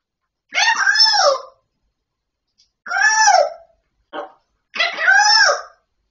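A Grey parrot talks in three speech-like phrases of about a second each, with a short clipped sound between them, in a quiet room.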